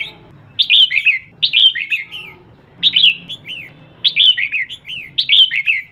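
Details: A female red-whiskered bulbul calls to excite males, giving five lively phrases of slurred, chirpy whistles, each dropping in pitch at the end, roughly once a second, with a soft low background hum.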